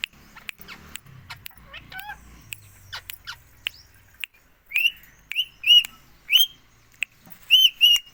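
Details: Pet rose-ringed parakeet in India: quiet clicks and a soft harmonic murmur, then a loud run of bright, upward-flicking chirps repeated roughly every half second toward the end.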